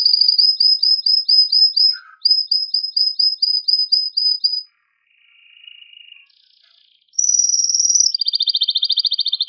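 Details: Male canary's strong, excited song meant to stimulate female and male canaries to mate: rapid repeated high syllables in two runs, then a quieter low trill, a high steady roll and a fast pulsed lower trill.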